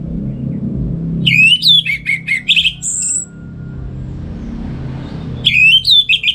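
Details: Orange-headed thrush, a kept bird in Singaraja, northern Bali, singing in the morning as a master voice for other birds: loud swooping whistles and rapid repeated notes, a pause with faint hum, then another swooping phrase.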